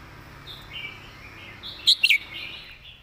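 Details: Red-whiskered bulbul master song, mostly soft, hazy warbling with one short burst of three sharp whistled notes near the end, over low background noise.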